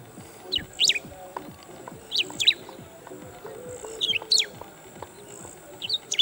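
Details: A bristled grassbird calling from an open perch: short, high, scratchy phrases of sharply sweeping notes, repeated about every two seconds over faint low background noise.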